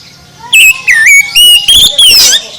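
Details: Oriental magpie-robin singing at high volume, used to wake up a sluggish bird: after a quiet start, five loud bursts of clear whistles, with swooping slides and buzzy, rapid flourishes in between.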